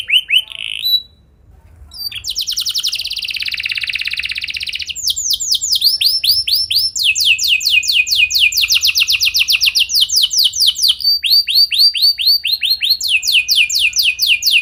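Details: Canary lure song meant to trigger long rolling song in other canaries: a few whistles, a brief quiet gap, a dense buzzy roll, then changing tours of fast repeated whistled notes.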